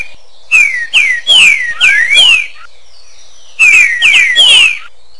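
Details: Green-winged saltator song with echo: two phrases of loud, clear whistled notes, most sliding downward, one rising, with ringing echo tails and a short silent gap between phrases.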